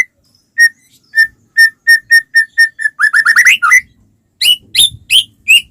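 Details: White-rumped shama song used as a lure for other shamas: a row of short, even whistles on one pitch, a rapid tumbling rising flourish, then loud, harsher high notes.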